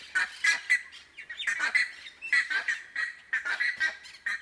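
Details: Plumbeous ibis (Theristicus caerulescens) at sunset, Laguna General Díaz, Fuerte Olimpo, Alto Paraguay, wet Chaco with karanda'y palms, 7 December 2020: loud harsh honking notes in quick uneven bursts, overlapping calls suggesting more than one bird.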